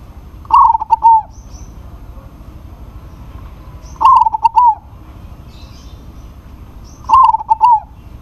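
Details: Local zebra dove singing eagerly to draw a rival's reply: the same short cooing phrase of three or four soft, hollow notes repeated three times, about every three seconds, with quiet pauses between.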